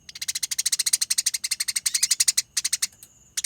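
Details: Eurasian tree sparrow fighting, in a bird-keepers' training recording: a long, fast, dense train of sharp high chirps, roughly a dozen per second, breaking off briefly before a thin whistle and another burst.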